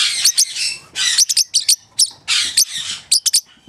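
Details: A pet male parrotlet, coaxed by its owner to say "pretty bird", gives bursts of high, harsh chirps and quick squeaky notes, several rapid calls every half second or so, as it tries to talk.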